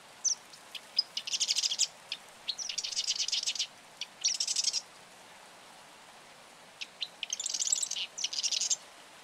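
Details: Marsh wren, a small, secretive wetland bird of North America, sings repeated dry, buzzy, rattling trills, each introduced by a few sharp clicks, roughly every one to two seconds, against quiet background.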